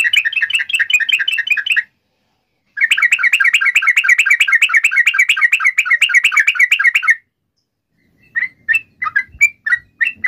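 A Yellow-vented Bulbul pours out long bursts of fast, bubbling chatter lasting several seconds, broken by brief silences, then a few scattered short notes.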